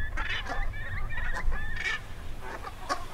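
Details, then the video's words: Several Brent geese feeding on eel grass on the Stiffkey saltmarshes, Norfolk coast, give short, throaty, rolling 'rronk' notes, overlapping about twice a second, over a steady low wind rumble. "Brent Goose"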